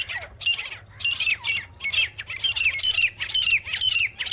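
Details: Grey francolin (teetar) calling: grating, ringing notes with a sliding downward tail, delivered in fast uneven bursts, loud and close, over a steady low background hum.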